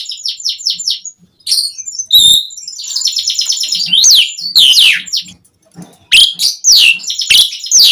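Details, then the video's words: Asian pied starling singing, used as a lure for captive birds: rapid chattering trills and harsh rasping notes mixed with steep whistled downslurs, pausing briefly mid-phrase. "Suara Jalak Suren Gacor Auto Nyaut Langsung Efektif buat Pancingan Burung Jalak"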